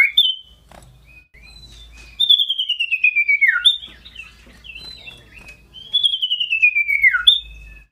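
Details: Scarlet-headed flowerpecker (cito sirdum) in full, loud song, hopping about while singing; two buzzy, shrill trills sliding downward and ending in a sharp drop, separated by short high chirps and a quiet pause.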